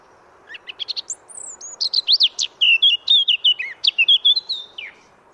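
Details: Full song of a free Eurasian blackcap from France: a quickening series of chattering notes that turns into a loud run of clear fluting whistles, about twenty notes over four seconds.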